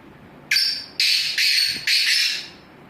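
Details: Black francolin, known in Sindhi as kala teetar, giving its call: four loud, scratchy, buzzing notes, with longer second and fourth notes, forming one hoarse phrase that fades out.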